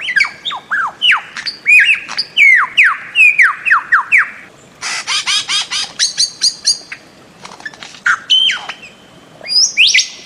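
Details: A bird-of-paradise gives loud, quick strings of sharply falling whistles, then dense rattling bursts, scattered squawky notes and a final high rising slur, with short quiet gaps between phrases.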